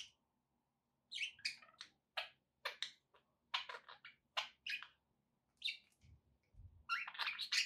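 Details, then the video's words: Budgies chattering indoors with a steady run of short, sharp chirps and warbled notes, many in quick succession, plus a faint low hum and a few soft thumps in the background. "relaxing budgie sounds"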